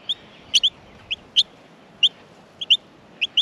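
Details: Baby Australian miners begging in their nest while being fed: bright, high-pitched squeaky chirps, some doubled, repeated irregularly roughly every half second.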